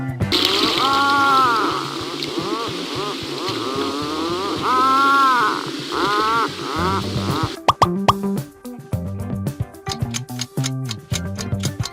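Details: Playful music with gliding, bouncy tones and plopping effects, then a rhythmic percussive beat; no animal call is heard.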